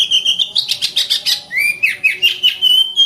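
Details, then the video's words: Oriental magpie-robin in a cage, singing a dense, fast series of buzzy chirps followed by sweeping whistled notes that slide up and down, delivered without a break. "BURUNG KACER GACOR RAPAT"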